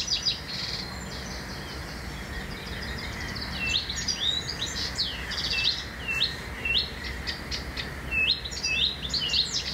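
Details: In a town by a railway carrying hundreds of trains daily, a Blyth's reed warbler sings after a few quiet seconds: bright, high, varied phrases of clicks, upslurs and whistles, repeated in short bursts, recorded by digiscope.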